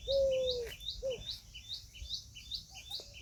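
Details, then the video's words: Peahen of the Indian peafowl: a long, level, clear mid-pitched note lasting under a second, then a brief repeat, over a regular pattern of high two-part chirps from other small birds. "Peahen bird the Indian peacock/most clear sound"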